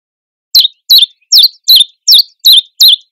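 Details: A Common Chiffchaff in a nettle wood sings a steady run of seven bright, high chiff-chaff notes, about two and a half per second, against a quiet background.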